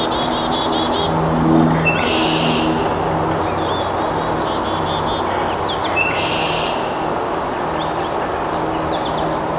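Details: In early spring, a house wren sings while clearing a tree cavity for nesting at Lake Wampanoag Wildlife Sanctuary, Massachusetts, USA; rapid chattering phrases open the clip, then two dense buzzy bursts about four seconds apart over a constant low drone.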